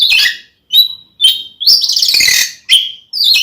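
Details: Oriental magpie-robin giving a fighting song to provoke a male: short sharp whistles and grating, buzzy rasping notes delivered in uneven bursts.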